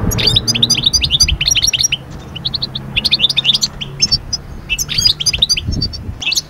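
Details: European goldfinch song intended to move birds out of moult into breeding season mood: dense, energetic twittering and chirping, nearly continuous, with a faint low hum beneath.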